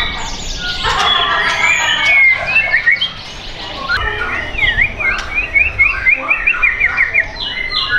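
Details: A White-rumped shama held at a bird shop in South Tangerang, Indonesia, sings a dense warbling burst, pauses, then delivers a quick rhythmic run of zigzag whistled notes and fuller rolling phrases.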